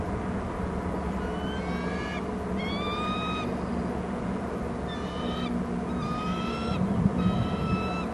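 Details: Loud bald eagle calls off the nest at a Hornby Island nest territory: a series of thin, upslurred piping notes grouped in short bursts across eight seconds, with a continuous low rumbling background.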